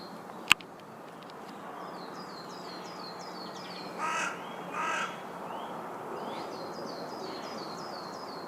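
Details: Carrion crow (Corvus corone corone) giving two harsh, hoarse caws about a second apart midway through, over steady background hiss, with a small bird's repeated thin descending notes and a sharp click near the start.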